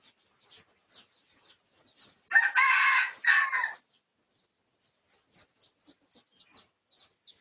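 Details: Pradu-coloured red junglefowl crowing in a research recording made on 18 August 2023: one harsh, broad crow lasting about a second and a half, with a short break near its end, amid faint high chirps from small birds before and after.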